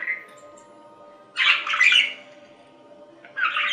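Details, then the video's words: Budgerigar: a faint chirp, a long quiet pause, then a burst of harsh scratchy warbling and another short burst at the end, with a steady faint hum underneath. "Budgie Sounds"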